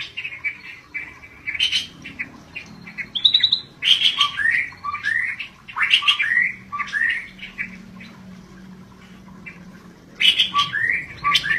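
A Scaly-breasted Bulbul sings lively bursts of bubbly, chattering notes, some sharp and squeaky, in quick phrases with short pauses. A faint low hum runs underneath.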